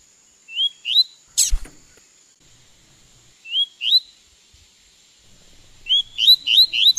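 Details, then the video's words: A Double-collared Seedeater being trained to sing gives paired, quick rising whistles, then a brisk run of similar notes, with a sharp click and a faint steady high whine. "Como Encartar Um Coleiro Em 30 Dias"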